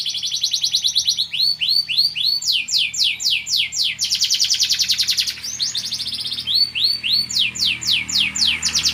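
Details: Canary, a national champion competition singer, in full song: rapid repeated high swooping notes in long runs, shifting into fast-rolled buzzy trills and back, continuous and loud with no pauses.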